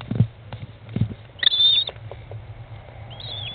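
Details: Inside a nest box, an American kestrel mother feeds her 15-day-old chicks, 20 May 2011, 13:54; one long, level, high whine, a later shorter falling call, and low knocking sounds.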